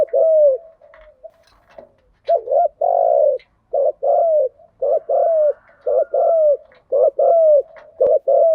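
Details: Male and female spotted doves in a thúc gù and gáy gọi style lure recording for stimulating decoy doves: fast repeated two-note coos with down-curving ends, nearly continuous, with faint clicking sounds.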